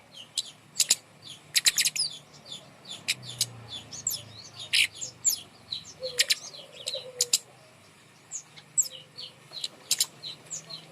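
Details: Small birds singing, used to prompt silent birds into song: busy, high, thin chirps and short trills scattered throughout, with sharp ticks and a soft low cooing in the background.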